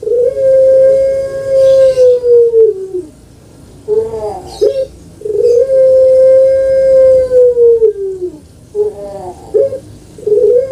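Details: A kept Barbary dove (Streptopelia risoria, puter pelung) gives a long, steady, mellow coo held about three seconds and falling at the end, then a few short coos, repeated twice.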